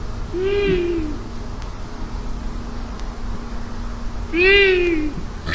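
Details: Female Long-eared Owl, a British owl, making its higher-pitched call: two nasal, slightly wavering, mewing notes about four seconds apart, over a low background hum.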